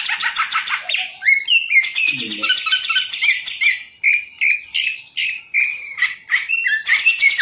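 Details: Kept green leafbird, a caged hobby bird, sings a busy run of chattering notes and clear whistles in short bursts about half a second apart. A brief low grunting sound cuts in near the start.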